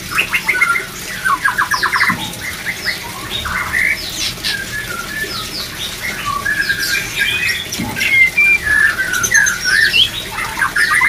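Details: White-rumped shama singing, used as therapy to raise breeding drive among many shamas: a rapid run of repeated short notes, then a busy mix of whistles, chips and sliding phrases, with a soft hissy background.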